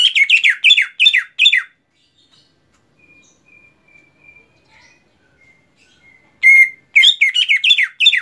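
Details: Cucak ijo (greater green leafbird) in song-mastering material: rapid repeated phrases of buzzy whistles, a pause filled with faint thin tones, then another fast burst of the same chattering notes.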